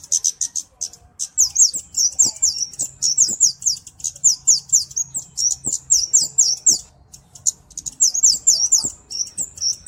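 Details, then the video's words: High-pitched flowerpecker song, offered as a master and lure: dense, rapid series of thin, piercing chips and twitters delivered in quick bursts, with faint low ticking noises underneath. "Burung KEMADE // CABE CABEAN - Cocok Untuk Masteran Dan Pikat (Suara Jernih)"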